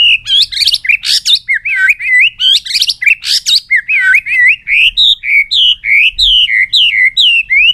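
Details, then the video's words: White-rumped shama in a long-string song with changing voices, beating its tail on the perch while excited: loud rapid series of rich whistled phrases, swooping and warbling, delivered almost without pause. "chòe lửa hót giọng dây dài.đập đuôi sàn cầu đảo giọng kích thích căng lửa chòe lửa hót nhiều giọng"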